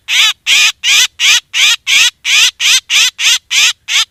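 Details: Harsh, rasping black drongo squawks used as a hunting lure, delivered steadily about three times a second, each note a short noisy burst with stacked overtones; nothing else audible.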